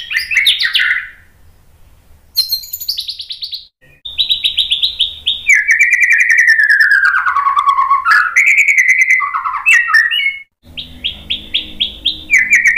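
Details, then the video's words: White-rumped shama song meant to provoke a reply: rich whistled phrases, rapid rattles, then a long wavering whistle dipping lower and rising again, and closing bursts of quick repeated notes. "MASTERAN MURAI BATU biar EMOSI NYAUT jadi GACOR BONGKAR TEMBAKAN ¦ PANCINGAN MURAI"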